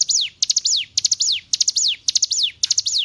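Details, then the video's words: Hill prinia singing, for training caged songbirds: crisp high phrases, each three ticking notes then a long falling slur, repeated evenly about twice a second against a quiet background. "Masteran Ciblek Gunung"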